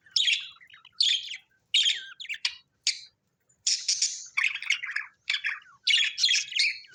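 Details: Happy pet budgies chattering: scratchy, buzzy chirps in separate bursts at first, then a denser stream of rasping warbles and squeaks, all high-pitched and clean of other sounds.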